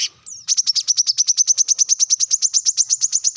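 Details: Shrill rival-directed calling from a brown-throated sunbird: after a short introductory slur, a fast, regular string of high, sharp chips, roughly seven per second, continuing to the end.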